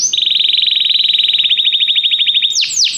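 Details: Canary singing, meant to prompt another canary into song: a long, even, rapid trill held at one pitch for over two seconds, ending in a couple of falling whistles.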